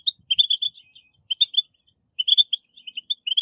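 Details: Goldfinch song in bursts: clusters of bright, jingling chirps separated by short silences, played to prompt caged goldfinches to sing.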